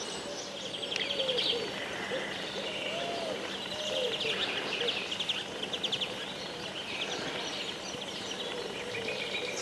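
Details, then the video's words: Several birds sing over one another on a morning walk along a riverbank among poplar groves, with bright high chirps and fast trills every second or so, plus lower whistled notes over a steady background rush. "Paseo entre cánticos de los pajaros en el rio.Walk between songs of the birds in the river."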